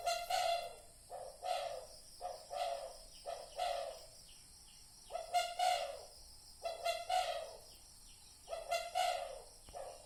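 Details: Spotted dove cooing on a trapping lure recording, with clusters of short, low, throaty coos in bursts of three or four, broken by brief pauses over a faint background hiss.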